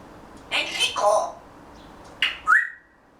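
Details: Pet grey parrot chattering quietly to itself indoors before a daytime nap, while waiting for summer. Soft, mumbled speech-like sounds are followed by a short rising whistle.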